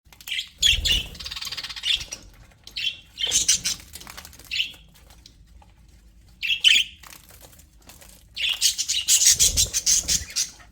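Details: Happy pet budgerigars in an aviary chirping in bursts of bright, scratchy high chirps and squawks, with about four separate flurries and quiet pauses between them; one faint low thump is also heard.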